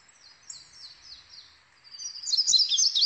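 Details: Indigo bunting (Passerina cyanea) singing: soft, high thin notes give way after two seconds to a louder, rapid burst of sharp, buzzy, high-pitched slurred phrases.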